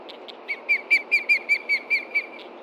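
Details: Osprey at a Montana nest with chicks, 30 June 2013 late morning, calling in alarm at a threat on the ground: rapid run of about ten sharp whistled notes, slightly downslurred, repeated roughly four per second, over steady hiss.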